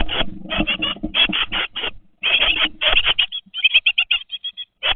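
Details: Twenty-day-old great tit chicks in a webcam nest box: loud harsh rasping bursts with rustling, a short gap, more rasping, then a quieter series of clipped buzzy chirps.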